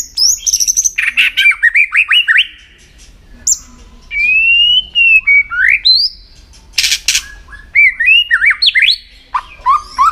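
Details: White-rumped shama trained to sing in contests, giving bursts of rapid chattering whistles, a long level whistle, and repeated sweeping notes, with a couple of sharp clicks.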